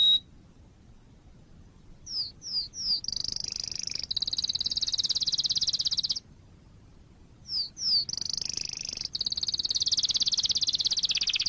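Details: Canary song recorded as tutor material for training young canaries: short rising whistled notes, then long fast buzzy trills, a pause of silence, and another run of rising notes leading into a sustained rapid trill.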